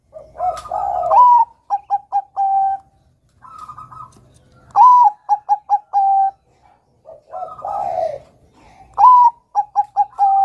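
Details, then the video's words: Caged zebra dove of the Bangkok type singing repeated phrases, each a low burbling coo followed by a clear rising note and four or five clipped coos, the phrase returning about every three seconds. "PERKUTUT BANGKOK GACOR kutut Bangkok Gacor Manggung NEGEL ini PINTAR mancing bunyi Kutut Bakalan"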